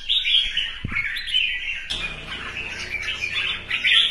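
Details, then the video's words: Red-whiskered bulbul, a Vietnamese hobby show bird, giving morning contest singing meant to prompt rival birds to sing and display. Dense, bright, warbling whistled phrases run almost without pause, with a brief low thump near the first second. "CHÀO MÀO | Hót sáng hót đấu thúc chim đấu hót xòe"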